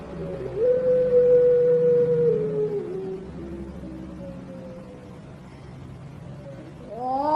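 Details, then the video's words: European turtle dove, a contest bird of the puter pelung style, giving a long, melodious drawn-out coo: a steady low tone held for about two seconds, then sliding lower and fading, with a fresh note starting at the end. "Puter_Pelung Juara‼️Suara Panjang Merdu Mengalun‼️"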